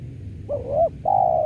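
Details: Spotted dove used as a lure for trapping doves: a low wavering coo that rises then dips, followed by a long level coo that slides slightly downward at the end, over a low background rumble.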